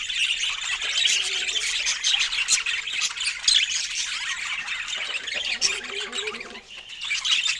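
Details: Pet budgerigars at fresh fruit feeding time, a flock giving dense, continuous high chattering with rapid squawks and chirps overlapping throughout.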